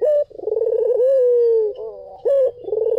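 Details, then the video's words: A single white collared dove song phrase: a short clipped note, a buzzy rolling coo stretching into a long, level, slightly falling tone, then a sharp rising note as the next coo begins. "SUARA PUTER PUTIH || JERNIH 3 DETIK LANGSUNG NYAUT || SUARA BURUNG PUTER MERDU"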